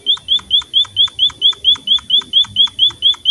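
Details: Emprit, the Pipit finch, in lively song: a clean, rapid chain of bright, high clipped notes, each a quick upward-flicked chip, repeated just over twice a second with machine-like regularity and a quiet background.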